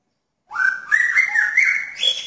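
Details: A male magpie-robin in a pairing cage, trying to attract a female, sings one long, smooth whistled phrase that wavers gently and steps upward in pitch near the end.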